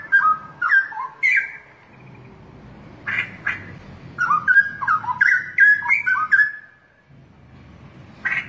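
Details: Straw-headed bulbul, a prized cage bird in Indonesia kept for song contests, singing loud bubbling whistled phrases, rapid warbled notes rising and falling around mid pitch in bursts separated by pauses, low background rumble.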